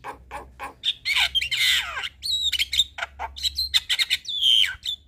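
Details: Black-winged starling evening song for training young birds: dense mix of clicks, harsh squawks, a descending slurred note, and repeated high, bent whistles, rapid and varied throughout, with steady low hum.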